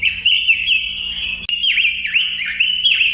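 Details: A robin singing a rapid run of bright whistled notes, several swooping downward then back up, with a short break partway through; constant low hum beneath.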